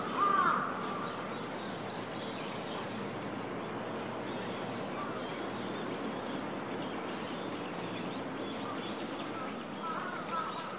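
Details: A Eurasian coot at Shinobazu Pond, Ueno, on 10 December 2021 gives a short, sharp honking note at the start and another near the end, over steady background hubbub and murmur.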